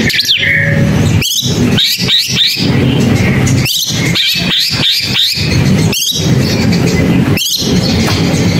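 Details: Long-tailed shrike song: short bursts of scratchy, rising and falling whistled notes high up, split by loud sharp clicks, over a steady low rumbling hum.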